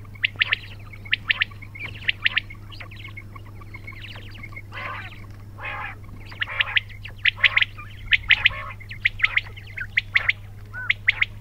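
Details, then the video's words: Quails chirping and squawking together: bunched high, clipped notes with a few rougher, broader squawks in the middle, irregular rhythm, steady low hum underneath. "بٹیروں کی آواز"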